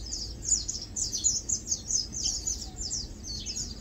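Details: Lowland White-eyes chilling and preening, uttering bright, high, slurred tweets in small groups about every half second, a few notes sliding downward, against a faint low hum.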